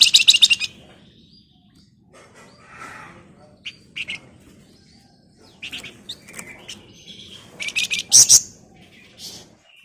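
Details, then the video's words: Flamboyan singing actively in a dense buzzing ngebren style with shrill nyerecet notes, used as a lure to get other birds singing: harsh rattling bursts about every four seconds, separated by softer scratchy twitters. "Burung Flamboyan Gacor Ngebren Rapat Nyerecet Nyiul Cocok buat Pancingan"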